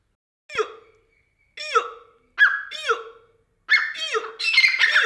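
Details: Grey francolin, the Deccani teetar, giving spaced harsh notes that come faster and louder, building into a dense, ringing burst at the end.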